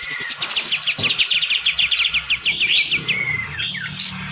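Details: Bathing kept olive-winged bulbul challenging a neighbour's bird: rapid stuttering series of sharp notes, then slurred rising whistles and a falling whistle near the end.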